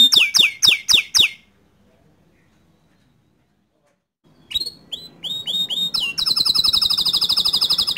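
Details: Canary song meant to provoke other canaries into singing: opening burst of rapid descending chirps, a pause of about three seconds, then rising whistled notes leading into a fast, loud, buzzy trill.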